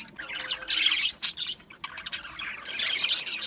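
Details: Short burst of budgerigar chatter, a bright warbling squeak swelling near the start, a few clipped chirps in the middle, then another dense run of twittering at the end.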